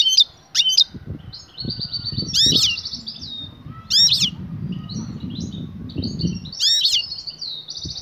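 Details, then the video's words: Female European goldfinch eager to mate, calling to the male: rapid high twittering with buzzy rattled trills and three loud sweeping call notes, steady low rumbling noise underneath. "بتبتة أنثي المقنين هائجة تنادى على الذكر للتزاوج،jilguero"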